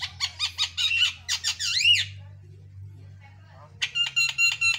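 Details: Javan myna, described as very prolific in song, delivering rapid series of harsh, harmonic-rich pulsed notes, then bending, rising and falling whistled phrases, a short pause, and another quick burst of buzzy pulses; steady low hum underneath.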